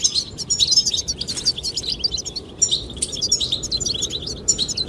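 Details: Goldfinches chirping in the wind, singing to attract the female: continuous high twittering and bright trilled chirps run through steady wind noise and a low rumbling roar.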